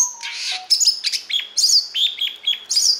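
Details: Oriental magpie-robin, fired up in competitive fighting song used for voice training, sings rapidly and variedly: a low whistle, then bright scratchy bursts and clear slurred high notes, repeated about once a second.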